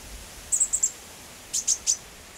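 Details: Chestnut-backed chickadee in Washington during the breeding season, while adults are busy feeding their young: two short bursts of very high, thin chip notes, three or four quick notes each, over a steady hiss.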